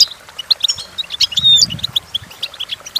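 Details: Goldfinch song for teaching goldfinches to sing, a brisk sequence of bright chirps and twitters that includes a drawn-out, rising nasal whistle midway, followed by evenly spaced short notes.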